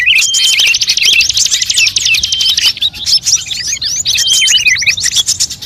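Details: Bird calls used to lure wild birds, a mix of many kinds: dense, unbroken high chirping with rapid trills, sweeping whistles and sharp tweets layered over one another throughout.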